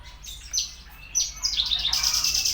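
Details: Javan bushlark song fragment: a few sharp, high, down-slurred notes separated by short pauses, ending in a fast, high, buzzy trill.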